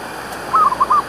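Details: Zebra dove used to lure wild doves for trapping; one brief phrase of about four quick, rolling cooed notes at mid pitch, with faint background hiss.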